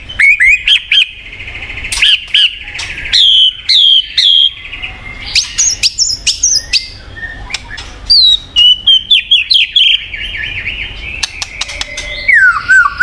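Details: White-rumped shama song, played to prompt a silent bird to sing: loud, varied phrases of clear whistles, sustained warbling trills and sharp upslurred notes, broken by short pauses and crisp clicks, with no other sounds.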